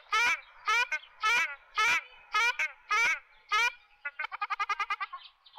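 Loud, nasal, goose-like honks from a Ruddy shelduck, seven in a row about every half second, followed by a quicker, chattering run of shorter honking notes.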